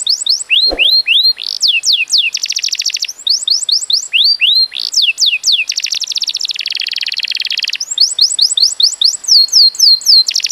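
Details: Canary singing a training song for other birds, with rapid series of bright downslurred whistled notes alternating with dense buzzy trills and rolling rattles, continuous and loud throughout, with a brief low thump near the start.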